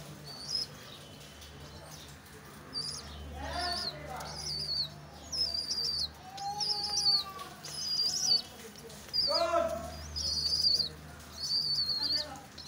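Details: Pigeon and its chick: after a quiet start, high squeaky peeps arrive in short bursts. Lower sliding, wavering notes and a few wing-flap sounds mix in, over a low hum.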